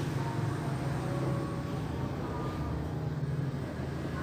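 A steady low engine rumble from a vehicle fills the whole stretch, with broad road noise and no animal calls.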